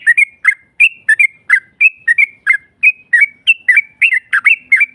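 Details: Yellow-vented bulbul singing to provoke a rival's response; a steady series of bright, downslurred chirps, often paired, repeating about three times a second.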